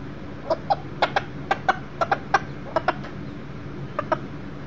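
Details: Millefleur d'Uccle rooster, one year old, brought inside on 7/6/13 where a broody hen and chicks are kept: about fourteen short clucks at an uneven pace, some doubled, over four seconds.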